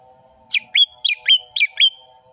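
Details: Orange-headed thrush song used as a lure to prompt lazy birds into singing: six loud, sharp whistled phrases, each dropping then levelling into a thin tone, delivered at fast tempo over a faint steady background hum.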